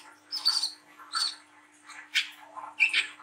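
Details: Lively song of a young brown-throated sunbird, meant to stimulate young birds to sing. Five or six short, scratchy, high chirped bursts, irregularly spaced, with a faint steady hum underneath.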